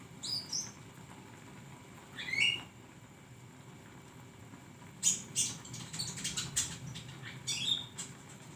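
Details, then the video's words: Flowerpecker in a songbird training recording: two isolated thin, high chirps a couple of seconds apart, then a denser burst of sharp ticking and twittering notes. A faint steady hum continues throughout. "masteran burung Konin"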